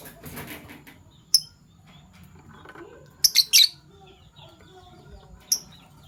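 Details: Fischer's lovebirds, a violet and a gold opaline Euwing colour form, chirping in the morning: a few sharp, shrill single chirps and a quick cluster of three over a faint murmur of softer background sounds.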